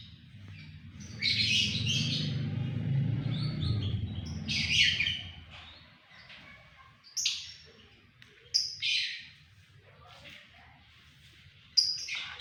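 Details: White-rumped shama giving a loud, persistent song of sharp, bright whistled bursts and rapid trills in separate phrases, with a low rumbling background noise early on.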